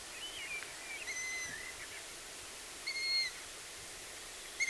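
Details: On a BirdWatch Ireland outing, wild long-eared owl chicks give thin, drawn-out squeaking calls with ringing overtones, two clear ones about two seconds apart and a third cut off at the end, plus a faint wavering chirp early on.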